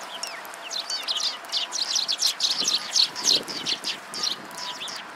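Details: A flock of sparrows gathering at food at a Tenmangu shrine on 28 December 2016 chirps busily: dense, overlapping high twittering notes tumble rapidly, with several birds calling at once throughout.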